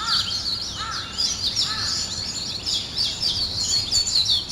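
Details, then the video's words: A bright morning chorus of twittering birds fills the clip. A few lower, curved calls stand out in the first two seconds. "아침을 깨우는 새소리 2 ,Birds wake up in the morning 2"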